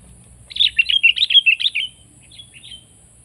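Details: Sooty-headed bulbul delivering a fast, lively string of about ten liquid, bouncing whistled notes, followed by a couple of softer trailing notes.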